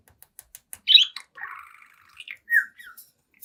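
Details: Seven-month-old budgie singing before a mirror indoors: a loud rising chirp, then a buzzy drawn-out warble, followed by two sharp bright chirps and faint ticking.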